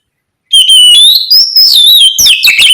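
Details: Unbroken 'ngeplong gacor' song of an oriental magpie-robin, aimed at stimulating other kacer to sing back. Strong clear whistles slide smoothly up and down, then turn into quick, scratchy twittering.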